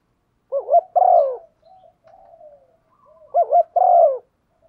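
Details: Luring call of a female spotted dove prompting a male to coo: two phrases of quick double wavering notes then a long descending coo, soft muttered notes in the pause between.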